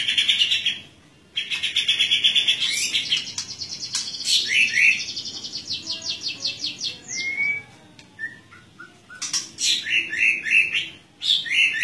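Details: Singing white-rumped shama in ngeplong style, set out in the dew and seeking a rival: long runs of fast, repeated high chattering notes, broken by brief gaps and a few lone whistled notes.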